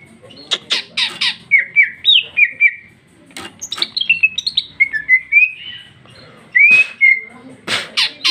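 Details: Singing female greater green leafbird (cucak ijo), 2021, loud free song with rich fill. Harsh chirps open into a varied run of sliding whistles, then a pause and a bright rising whistle with more chirps.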